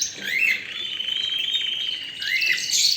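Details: Canary song with a long, steady, buzzy trill of fast even notes between two rising upslurred whistles, ending in high twittering.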